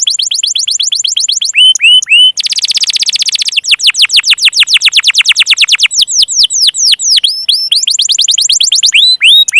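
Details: Canary song played to prompt young and stalled canaries into singing: short whistled upslurs, then a buzzy rattling tour, followed by long runs of rapid descending sweeps and a final burst of rising whistles, clean with no other sounds.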